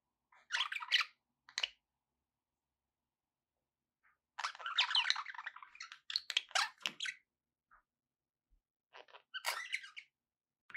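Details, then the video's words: Pet budgerigars chattering indoors: short bursts of scratchy, warbling chirps separated by silent gaps, with a long busy burst in the middle and a few quiet single notes. "budgie sounds"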